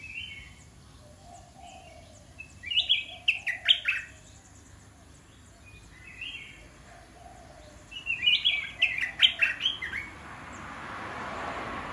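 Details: Caged red-whiskered bulbuls, described as a mix of 'dok taeng' and 'ta daeng' cage birds, give short bright warbled phrases in two bursts around three and nine seconds, with a hiss of background noise rising at the end.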